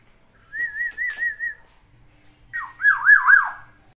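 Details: Black-naped oriole kept indoors, singing a mimicked repertoire: a short series of four wavering whistled notes, a pause, then a louder burst of looping, trilled warbles sliding up and down.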